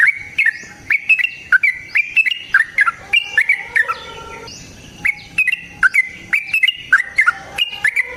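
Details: Yellow-vented bulbul in long aggressive rapid song used as a singing lure; repeated bubbly whistled phrases with crisp attacks, interrupted briefly around the middle by other lower tonal sounds before the phrases return.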